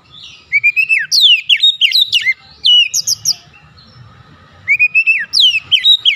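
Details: White-rumped shama lure song to trigger other shamas' singing: dense phrases of quick, sweeping whistled notes and trills, a short gap, then another energetic burst.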